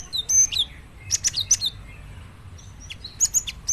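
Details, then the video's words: Gelatik batu, or cinereous tit, producing brief bursts of sharp, high whistled chirps, with quieter single notes between the louder clusters. "Dijamin gelatik batu lain langsung gacor dengar suara ini"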